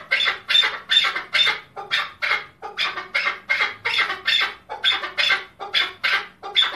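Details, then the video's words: Chukar partridge (keklik) in Tajikistan, 2020. Harsh, rasping bursts repeat in an uneven rolling series, a little over one per second, loud and close. "Как поёт горная Куропатка,Каклик"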